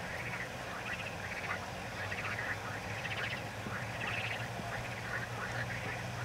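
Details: Black-winged stilt giving clustered bursts of sharp, nasal yelping notes, several in fast succession, with pauses between groups, over constant low rumbling background noise.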